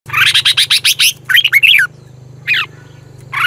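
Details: Red-whiskered bulbul song from Thailand, played to excite caged birds: a fast run of bright chirped notes, then short rising and falling warbled phrases, with a low steady hum underneath.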